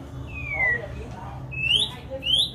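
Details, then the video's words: A white-rumped shama described as a beautiful mutant that sings well: clear whistled notes, one long falling slur followed by two bright rising whistles, over a low background hum. "CHÒE LỬA ĐỘT BIẾN ĐẸP HÓT HAY"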